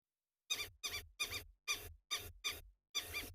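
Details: Lapwings at Tswalu Kalahari Reserve, South Africa, calling at sunrise to intimidate and drive off birds of prey that threaten their ground-nest eggs and chicks: seven loud, harsh, clipped notes repeated about every half second.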